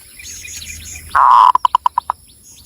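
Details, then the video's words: Local zebra dove, Cilacap, Central Java, gives a long steady coo then six quick, clipped notes; softer twittering of other small birds is heard before it. "SUARA BURUNG PERKUTUT LOKAL JAWA GACOR"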